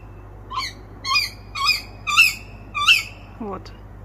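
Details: A Tawny Owl perched in a tree by a village house calls at 2 a.m. at summer's end, as it has nightly for two weeks, with dogs answering: five harsh, steady, squealing calls about every half second, then a brief lower sound.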